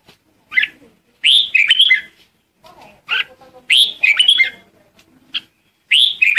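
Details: Red-whiskered bulbul singing to lure and call the flock, with lively warbled phrases of slurred up-and-down notes alternating with short single chirps, about every two seconds.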